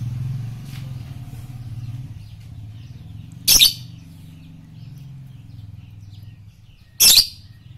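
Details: Lovebird masteran recording for morning, noon and night: two loud, grating high shrieks about three and a half seconds apart, with a constant low motor-like hum in the background.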